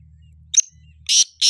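Black Francolin giving a short sharp note, then two loud, harsh, grating notes about a third of a second apart, high-pitched and rasping. A faint low hum sits beneath.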